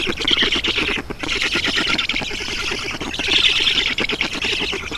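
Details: Estonian black stork nest, 7 June 2019 at 11:03, during a water delivery by an adult. Rough, pulsing squawks run nearly without pause, with a short break near one second and a louder burst after three seconds.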